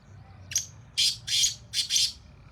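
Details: Black francolin calling in fields in Sindh: five short harsh broadband notes, a lone clipped note then two paired bursts of rasping high squawks over about two seconds, with low rumbling background noise.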